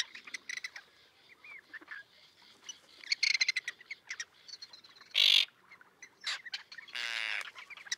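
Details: Common tern breeding colony with young near a breakwater, Liepāja, Latvia, June 2024, filmed on a Nikon Coolpix P1000; scattered short clicks and chips punctuated by a piercing shriek and a grating rasp.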